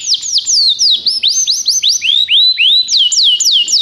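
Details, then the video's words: Belgian canary singing a lively chain of looping whistled notes that dip and rise, repeated several times a second, clear over a quiet background. "Canário belga cantando muito - best singing"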